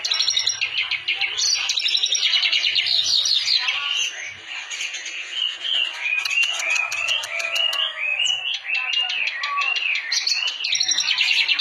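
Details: Clamorous reed warbler in full, energetic song: long dense chattering phrases with rolling warbles and scratchy trills, barely pausing, with quick clicking bursts in between.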